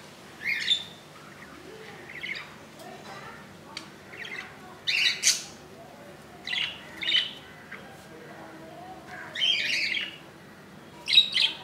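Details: Budgerigar chick hatched on 15 July 2018, on its second day in the nest: high raspy chirps come in pairs and short clusters, separated by quiet gaps of one to two seconds.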